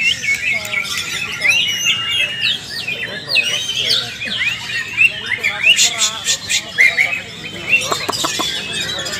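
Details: Cucak ijo, the greater green leafbird, sings vigorously in a group training session: looping slurred whistles and twisting chirps in quick succession, ending in sharp clicking bursts.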